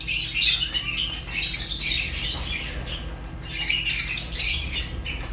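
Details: Shrill chattering of African lovebirds, Fischer's among them, comes in two busy waves of squawks and chirps, with a brief lull just past three seconds.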